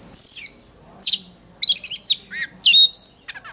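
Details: Oriental magpie-robin in singing-contest training, giving a high whistled phrase, a raspy note, then quick stuttering trills and bright descending whistles.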